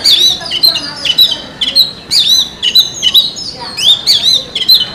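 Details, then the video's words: In a forest, an Oriental magpie-robin delivers a continuous run of rich whistled notes, slurred up and down, mixed with sharp chips, over a soft hiss. "suara burung kacer di hutan"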